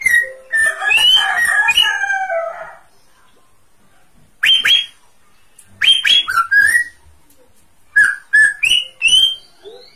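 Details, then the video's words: Greater green leafbird singing vigorously. It opens with a rich run of sliding, overlapping whistles, then pauses and gives short bursts of clear, rising whistled notes and chattering phrases separated by silences. "Cucak ijo paling gacor"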